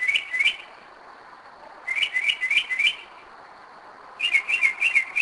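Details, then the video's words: Night song of a Northern mockingbird recorded at 2am in Kennesaw, Georgia; short repeated whistled chirps in groups of two to four, separated by pauses of about a second. "Mockingbird 2am 2011"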